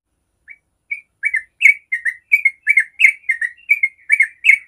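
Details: Yellow-vented bulbul delivering 'ropel' song used as a lure for other bulbuls; a few hesitant chirps lead into a brisk, rolling sequence of bright warbled notes.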